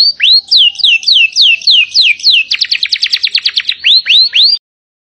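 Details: Canary in vigorous, long-breathed song with 'tembakan' (shot) fill phrases, suited as a tutor for fighter birds: a series of high, sweeping downslurred whistles, then a rapid buzzy trill, ending in three rising whistles before stopping abruptly.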